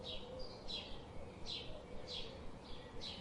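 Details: Quick high chirps from birds, some overlapping, about six in three seconds, each a short downslurred note, above a quiet background rumble.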